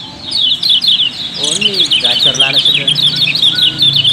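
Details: Lure song of yellow-bellied prinia, a Lombok cage bird prized for its unusual voice: rapid, high, jumbled chirps and trills run continuously while a brief human voice sounds in the middle.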